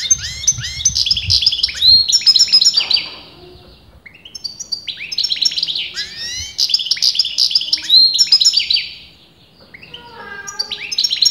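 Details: Kept European goldfinch, sex debated by leading breeders, singing on and on: long phrases of rapid twittering, nasal buzzes and swooping notes, with two short pauses between bursts.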